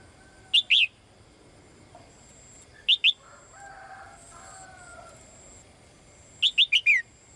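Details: Female bird calling for the male with short high chirps: a pair of notes, then another pair, then a run of five quick falling notes. Soft low sounds fill the pauses.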